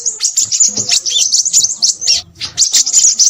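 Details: Noisy crimson sunbird delivering rapid, high-pitched chattering song, thin twitters run together in a busy flow with a short dip near two seconds, over faint low background sounds.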